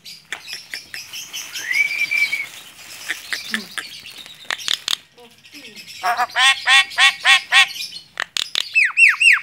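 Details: Hand-tame Javan myna in lively chatter: a smooth rising whistle, scratchy clicks, then rapid runs of repeated sweeping notes and downward-swooping harsh calls near the end.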